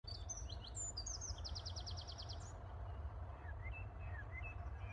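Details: Eurasian wren singing at a pond while smooth newts court in the water: a loud, high, rapid trill of sharp notes lasting about two seconds, followed by fainter scattered chirps and a low rumbling background.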